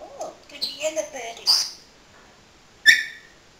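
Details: Talking pet parrot, a male that has learned a friend's cat's name, uttering a short run of speech-like warbling syllables and whistles, then a sharp squawk after a pause, indoors.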